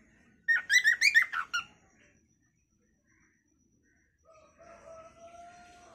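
A cockatiel gives a quick burst of bright, harmonic chirps, then a steady, low whistled tone.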